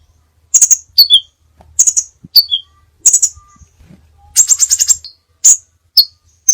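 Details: Crimson sunbird song with many variations, recorded as a tutor track for songbirds: very high, thin chips and short buzzy trills in separate bursts, with brief lower notes between them and a faint low hum underneath.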